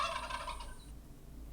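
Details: Farm turkey giving a quick, bubbling gobble of fast pulsed notes for under a second, fading into steady low rumble and quiet background noise.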